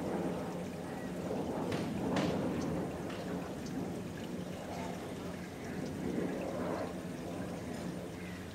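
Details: Steady rushing rain with a low constant hum and occasional louder surges, no animal calls heard.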